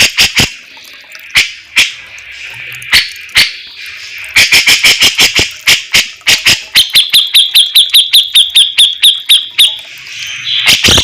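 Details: Javan brown-cheeked bulbul, cucak jenggot jawa, in a masteran training recording of its song: loud sharp chipping notes spaced irregularly, then a long run of rapid, evenly repeated high ringing notes, ending in a brief jumbled flourish.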